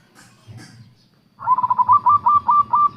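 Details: Local Indonesian zebra dove (perkutut) lure song: after a few faint sounds, a loud, fast, even series of about nine clipped cooing notes at a steady pitch, with low thuds beneath.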